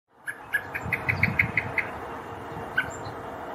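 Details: Male common blackbird searching for its fledgling in Poland on 7 July 2023 gives a quick run of sharp, metallic alarm chinks, about six in a second, then a lone note, over a low background rumble.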